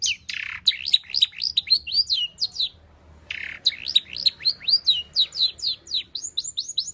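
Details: Long-tailed shrike in chattering 'gacor' song full of varied material, played to draw out singing. Two bursts of rapid rising-and-falling warbled notes each open with a harsh, noisy note.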